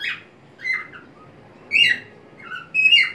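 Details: White-faced cockatiel, a pet bird, singing a cheerful melody while swinging on a homemade perch inside a small crate; bright whistled notes, some rising then falling, delivered in bursts with pauses between.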